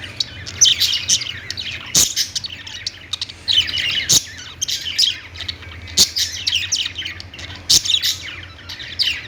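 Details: Budgerigars twitter in surges of rapid high chirps and warbles that swell and fade every second or two, with sharp clicks at intervals and a faint hum beneath.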